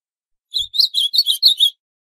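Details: A captive Ultramarine Grosbeak (northeastern Brazil form) singing a lot gives a quick, sweet warbled phrase of about six rich notes, rising and falling over roughly a second, with nothing else heard; audio meant for training and warming up birds.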